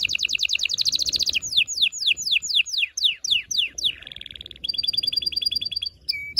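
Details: Loud canary singing to excite the female and stimulate the male for mating: a rapid trill opens, followed by a slower series of sweeping downward notes, a lower buzzy phrase, then a high repeated chirping trill.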